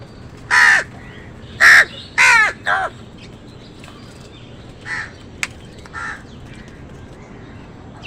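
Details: Crows fighting with wild birds over food give loud, harsh caws: four strong calls in quick succession during the first three seconds, then a few fainter caws and a sharp click later, over a low steady background.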